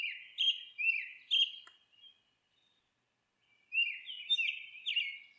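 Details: Monk parakeet at its nest giving harsh, downslurred squawks in a quick burst of about four, then a two-second pause before a second run of rasping, overlapping notes.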